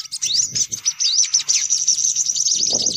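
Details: Lure sound to attract sunbirds: rising, high-pitched slurred chirps merging into a steady rapid twitter, with soft low thumps in the background.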